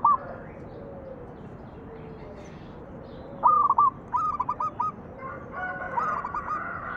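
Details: Local zebra dove singing in the cooing 'manggung' style, used as a lure to make other doves sing: short staccato stuttering notes in quick bursts, breaking out after a quiet start, over steady hissing background noise.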